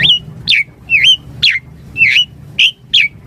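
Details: Javan pied starling singing, recorded as master song and lure: loud, clear whistled notes that sweep down then level off, repeated about once a second in an even series of seven phrases.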